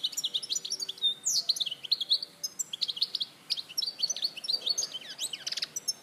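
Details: Goldfinch song recorded in Larache in 2014: a dense, continuous stream of liquid twitters and chirps, with quick rising and falling high notes and a few buzzy rattles.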